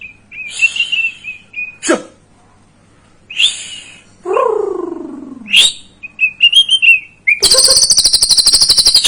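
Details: White-rumped shama lure song for stirring a juvenile to sing: scattered high whistles and sharp clicks, a long descending slurred note, quick twittering, then a steady buzzy rattle.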